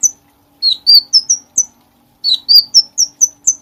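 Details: Bulbul singing continuously, meant as tutor audio for cage songbirds; two bursts of quick chirped notes, each opening with lower slurred whistles and stepping up to thin, high, falling chips, separated by a short pause.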